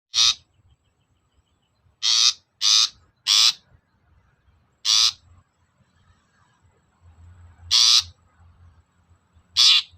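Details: Long-tailed shrike, a provocation recording meant to rouse other shrikes to answer and sing. Loud harsh rasping notes, singly and in quick pairs, separated by pauses of up to three seconds, over a faint low hum.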